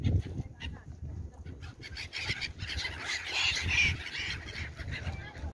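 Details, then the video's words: Gulls circling over the water of a bay: harsh, overlapping cries, briefly louder near the middle, over a steady low rumble of wind or surf. "Birds seagulls sounds"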